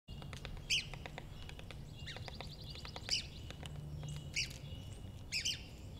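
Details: A woodpecker gives four sharp, high, clipped calls at uneven intervals, with soft rapid tapping between them over a low steady hum, recorded while a tree trunk was being cut.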